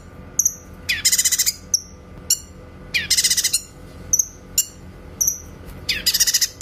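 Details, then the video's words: Grey-cheeked bulbul, locally cucak kinoy, delivering clear 'tembakan' bursts for songbird training: rapid buzzy rattles of several pulses roughly every two seconds, alternating with thin high whistled notes and sharp single chips; quiet background. "MASTERAN BURUNG CUCAK KINOY SUARA TEMBAKAN JERNIH"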